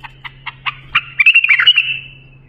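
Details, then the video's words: Bulbul song meant for training young bulbuls: a run of evenly spaced stacked notes quickening into a loud, warbled, slurred phrase that fades away, over a faint low hum. "بلبل للساناته إبداع يفيد للتخريج صغار بلابل"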